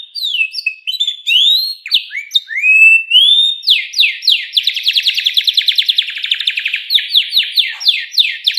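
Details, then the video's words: Canary song, kept as a pet bird: sliding whistled glides lead into a long, fast rattling trill, then a run of quick downward-sweeping notes, clean with no other sounds. "burung kenari bakal ikut bunyi dengar suaranya"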